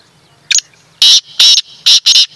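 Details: Loud grating phrase from a black francolin: a quick lead-in note followed by four powerful, buzzy, rasping syllables, delivered in roughly one and a half seconds in an otherwise quiet setting.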